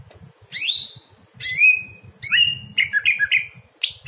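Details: Greater green leafbird song at night, used as a master recording for training other birds: loud descending whistled sweeps from high to mid pitch, then a run of quick chirping notes, over a low steady hum.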